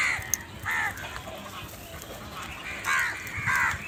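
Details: Loud crow voice with a few harsh caws spaced irregularly, a pair near the start and two more toward the end, with quieter background between.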